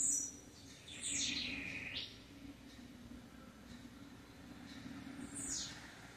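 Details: Blue-black grassquit giving its campainha-style song. Each phrase drops from a high pitch into a short rattling buzz that rises at the end. Another quick downward-sliding note comes near the end over a steady low drone.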